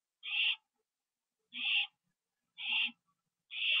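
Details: An owl inside its nest on the night of October 9, 2011, 9:54 PM, with a delivered bird being eaten. Four spaced, moderately quiet breathy hisses, about 1.1 seconds apart.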